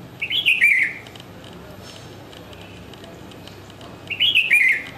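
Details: Bulbul perched and calling: two matching bubbly, warbling phrases about four seconds apart, each a quick run of slurred falling notes, with quiet in between.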